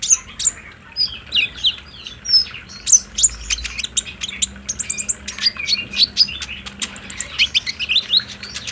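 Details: Olive-backed sunbird (konin) song used as a lure so a caged bird responds and sings, recorded on a phone: a continuous stream of very high, sharp twitters and slurred chips, growing busier toward the end.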